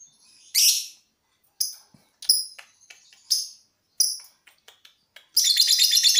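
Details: Lovebird in pre-contest breathing practice for a long ngekek: loud, sharp, high chirps spaced about a second apart, with softer clicks between them, then a sudden dense rattling trill at the end.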